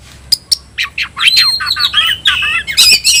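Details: Energetic tayoraky-style song of an oriental magpie-robin, a new variant, delivered with the tail spread: sharp clicks, then a fast run of bright rising and falling whistled notes and a closing high chatter.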